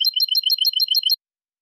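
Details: European goldfinch in clean linked song: a short burst of quick, evenly repeated, bright tinkling notes, about eight per second, ending abruptly after a little over a second.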